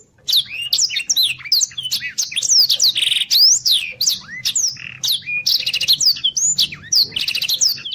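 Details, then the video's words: Black-throated canary (blackthroat) in energetic, fast 'gacor speed rapet' song style, used as a master recording for training contest birds. It gives a continuous rapid warble of high sweeping whistles, trills and chattering notes, with a faint low hum behind. "Suara blackthroat gacor speed rapet"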